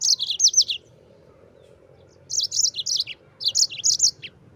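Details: Mozambik canary in rolling, long-lasting song used to coach white-eyes; looping high whistled notes sliding downward in quick series, a silent gap, then a longer chattering phrase.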